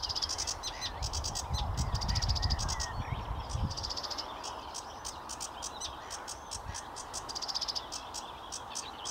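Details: Sedge warbler at Watermead Country Park, 8 May 2022, delivering rapid scratchy chattering phrases of high buzzy notes, with a low rumbling noise during the first few seconds.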